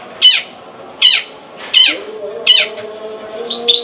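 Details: Long-tailed shrike (cendet) at home giving a harsh, rasping note repeated about every three-quarters of a second, five times, with a soft hum behind.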